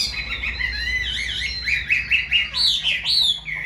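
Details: Caged Chinese hwamei, a freshly moulted bird, singing a rich run of clear whistled phrases that slide up and down, with notes climbing higher toward the end over a faint low hum.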